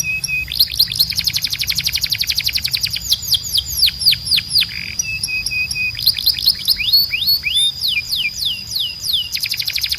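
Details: Canary song used as tutor audio for training young male canaries: high, fast trills of rapid repeated chips and sweeping notes, with sustained high tones and a steady background hiss.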